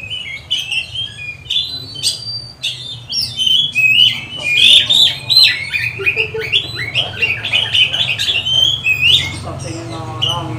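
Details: Energetic Oriental magpie-robin song used to provoke and train rival magpie-robins: dense run of chattering notes, rising whistles and harsh rasping phrases, with low background hum and a brief murmur of a voice.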